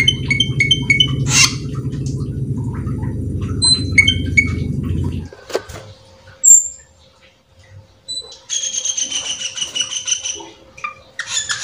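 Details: Cucak keling singing nonstop with full fill phrases, played to lure other cucak keling into song: quick repeated whistled notes in stacked tones, a sharp squeak, a pause, then a long buzzy rasping phrase; low hum drops out midway.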